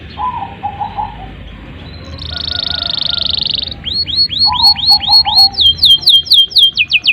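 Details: Canary singing as a lure for young and silent canaries: soft low warbled phrases, a buzzy sustained roll, then loud looping sweeps repeated rapidly, tightening into quick high chips.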